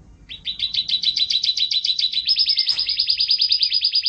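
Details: Canary song: a fast trill of rapid buzzy notes repeated about twice per second, then switching to a higher, tighter rolling trill, loud and continuous over a quiet background.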